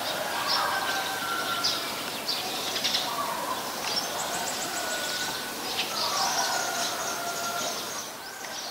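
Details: Eurasian tree sparrow in Ubon Ratchathani, Thailand, 10 May 2020: busy clusters of sharp, high tweets and chirps come in uneven bursts, above a constant hiss of outdoor background noise.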